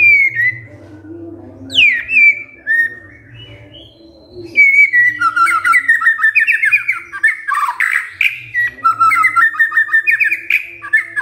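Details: White-rumped shama, a lure recording meant to provoke a silent shama into singing: a few loud slurred whistles with pauses, then a long, fast stream of varied whistled and chattering notes; a low hum throughout.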